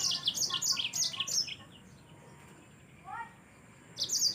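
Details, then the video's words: Yellow-fronted canary singing energetically as a training tutor for other birds: quick, high, sweet trills and chirps for about a second and a half, then quiet, a short lower slurred call, and a fresh high burst at the end. "Mozambik anda pasti ikut Gacor"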